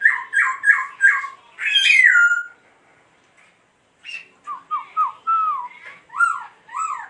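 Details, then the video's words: A laughingthrush dancing while it sings gives loud, rich whistled phrases: a quick run of four slurred notes, a brief pause, then a series of falling and rising whistles. "Khướu Muá Hót"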